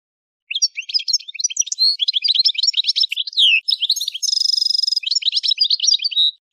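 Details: Algerian goldfinch from Kef El Hammam in the Souk Ahras region of Algeria delivering a long, rich warbling song of tinkling high notes, slurred whistles and a sustained buzzy trill, with no other sounds.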